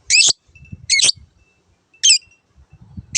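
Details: Long-tailed shrike, called cendet, in a recording for training caged birds: loud harsh nasal squawks repeated about once a second, with quiet low knocking sounds between them.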